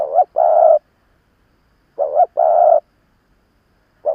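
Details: Spotted dove, a seasoned decoy bird calling to provoke wild rivals: two-part coos, a wavering short note then a longer steady hum, one phrase about every two seconds against a silent background.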